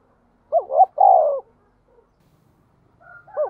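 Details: Cooing of a Spotted dove used to lure wild birds: one clear phrase of a quick two-part coo and a longer falling coo, then a short pause before another phrase begins, with faint background notes.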